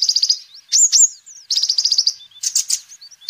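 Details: Sunbird in full song, kept as a lure and song master for birds. A rapid high trill opens, then loud slurred notes and thin whistles. Another fast trill and a scratchy chattering burst end with high tinkling notes.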